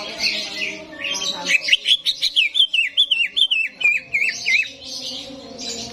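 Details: Greater green leafbird singing at a competition arena simulation meant to excite reluctant birds: a chain of loud, wavering whistled notes rising and falling, with other birds chattering and a low steady hum behind.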